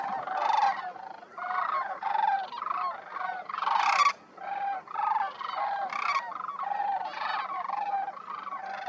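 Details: Sandhill cranes in a large flock flying in to land among thousands on the ground at Pixley National Wildlife Area, Central Valley, California, December 19: rolling, trumpeting bugles from many birds overlapping continuously, rising and falling in bursts about every second.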